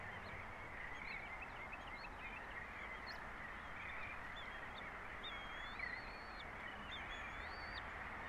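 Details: Bald eagles at their nest on Captiva, where a pair opens the US eagle season with some of the first eaglets. Recorded 04.03.2024 at 13:03. Thin, high whistled chirps rise and fall in short bursts over a steady broad hiss.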